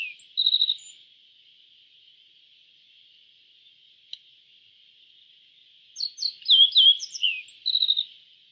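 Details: High, buzzy trilled note from a yellow bunting, a long pause with only faint background hiss, then a lively phrase of sharp descending chirps ending in another short trill.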